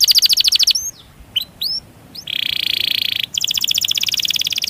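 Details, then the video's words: Canary giving long rolling song and chirps used to stimulate other canaries, including quiet ones, and to call a rival: fast, even, high trills of rapid repeated notes, a few sharp upslurred chirps, then another steady buzzing roll. "Masteran Suara Burung Kenari Ngerol Panjang Cuit Cuit emosi"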